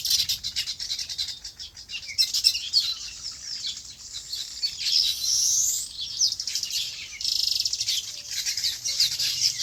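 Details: Many birds chirp together on a farm in their natural habitat, giving continuous high, busy twittering with brief louder bursts throughout.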